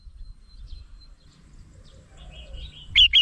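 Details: Red-whiskered bulbul, known locally as merbah jambul, recorded as a lure for trapping birds: faint scattered chirps over low rumbling, then two loud, sharp whistled notes in quick succession at the end.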